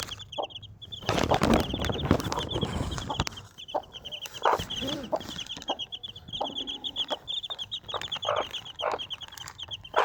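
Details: Desi mother hen with four baby chicks: continuous high thin peeping from the chicks runs throughout, with low soft clucks from the hen and bursts of rustling and handling noise.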